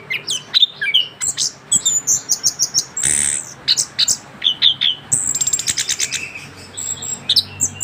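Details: Continuous rolling song of a young orange-headed thrush fresh from its moult, a mutation bird: quick varied high chirps, a rasping burst near the middle, then fast stuttering trilled notes.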